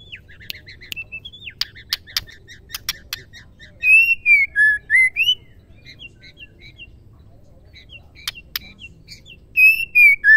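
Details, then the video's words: Song of a female white-rumped shama, used to provoke male shamas into singing. Scattered chips and whistles give way to loud clear whistled phrases that swing up and down, returning near the end. "murai betina gacor"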